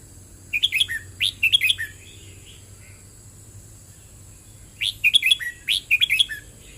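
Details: Red-whiskered bulbul singing the 'boen rik' style, with paired bursts of rapid whistled chirps, roughly a second apart, a quiet gap of about three seconds with faint murmuring notes, then another pair of bright phrases; steady faint hiss.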